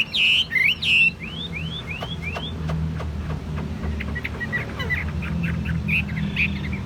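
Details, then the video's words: Caged Chinese hwamei, described as a good singer, tame and calm, giving a few loud upslurred whistles, then a run of five evenly spaced rising slurs, followed by fainter scattered notes over low background hum. "Chim hót tốt giọng hay, thuần 80% nhẹ nhàng ok ko sục ko nhảy"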